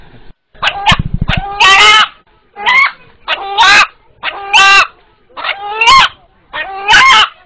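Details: Eight-month-old rooster, kept from Eid slaughter, calling for visitors in a call said to sound like 'Allah': loud harsh drawn calls about a second long, repeated roughly every second, with people talking at the start.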